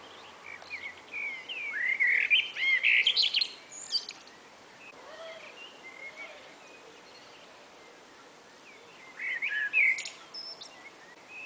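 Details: Common blackbird singing in a two-bird conversation on a spring afternoon. A loud warbling phrase ends in squeaky high notes, then quieter fluted notes follow, and a second strong phrase comes about six seconds later.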